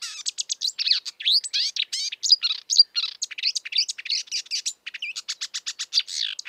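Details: A wild marsh warbler pours out a dense, nonstop jumble of chatters, trills and buzzy notes with hardly a pause.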